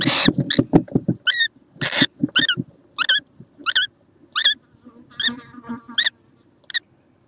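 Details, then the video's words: Juvenile kookaburra recorded on 6 November 2014. Low, rapid, pulsing thumps open the recording, then a run of brief, curling, squeaky notes comes roughly every half second, with a buzzy murmur near the end. "Mały kookaburra"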